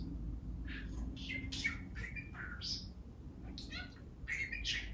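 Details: Male pet budgie talking spontaneously, reeling off a wide variety of phrases: a steady stream of chattering, warbled syllables and squeaky chirps, mostly mid to high pitched, with a low background hum throughout.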